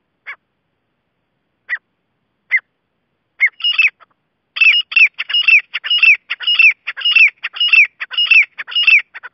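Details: Grey francolin calling: a few spaced, sharp notes open the clip, then a fast run of loud, harsh, repeated phrases follows at about two per second, over a quiet background.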